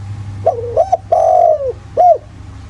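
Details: Spotted dove cooing in the 'giọng thổ' voice style, a countryside lure meant to provoke other doves into calling: a low wavering double coo, then a long falling coo and a short arched final note, over steady low hum.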